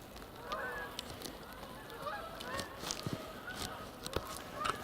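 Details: Canada geese honk repeatedly on a snowy Thanksgiving Day, November 27, 2014, at Sapsucker Woods, Ithaca, New York, some flying in and some on the pond: nasal two-toned calls overlapping from several birds, with clicks and rustling nearby.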